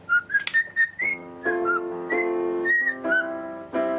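A cockatiel whistles a string of clear, bright notes that slide up and down, about one and a half per second. Plucked guitar-like music plays underneath from the second beat on.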